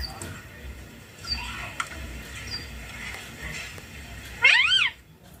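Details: Green ringneck parrot kept at home, talking: faint background chatter and hiss for most of the clip, then one loud, rising harmonic utterance near the end.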